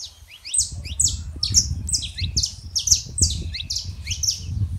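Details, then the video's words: Saffron finch, male and female, singing to warm up a quiet canary: evenly spaced high chirped notes over strong low rumbling noise. "canário da terra fêmea e macho pra esquentar seu canário frio"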